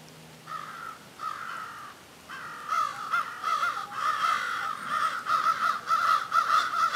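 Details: Several crows calling back and forth, drawn-out hoarse caws building into a near-continuous overlapping chorus of rough repeated cawing, with faint outdoor background.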